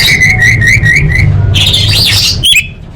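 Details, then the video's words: Orange-headed thrush in energetic, active song: five short whistled phrases with a rising tail repeat about every quarter second, then a harsh, buzzy, scratchy burst and a sharp chip, all over a steady low hum. "Masteran ANIS MERAH"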